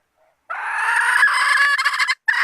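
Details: Female red junglefowl calling to attract males, recorded as a hunting lure: one long, harsh, rasping squawk lasting nearly two seconds, ending in a brief break and the start of another loud note.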